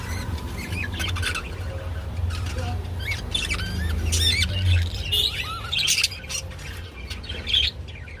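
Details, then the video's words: Budgerigars mating, giving warbled chirps and squawky notes in short bursts over a steady low hum. "Parakeets Mating II Budgie Mating and Sounds II Birds Mating Call II বাজরিগার পাখি"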